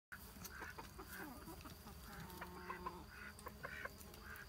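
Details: Muscovy duck giving soft, breathy hisses and low grunting calls, with other barnyard fowl clucking and a steady background hum.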